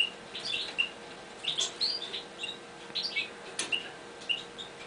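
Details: Several Eurasian bullfinches tried out in a new cage give soft, clear piping calls, some slightly rising or falling, spaced irregularly, over a low constant hum.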